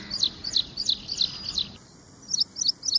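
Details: A run of five bright, high chirps from an ashy prinia, then a pause and three more in a training recording styled like ciblek semi, with low background hiss throughout.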